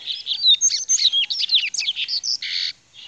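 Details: Rusty-collared seedeater singing the grego song style: a rapid, continuous run of varied whistled slurs and sharp chips, ending in a buzzy, harsh rasp and a final short note. No other sounds are noticeable.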